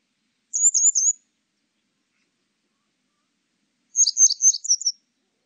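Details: Grey wagtail, recorded for a national biological resources archive in 2020: two short bursts of sharp, high, thin chirps, a quick trio near the start and a denser run of about five notes after a three-second silence; clean background.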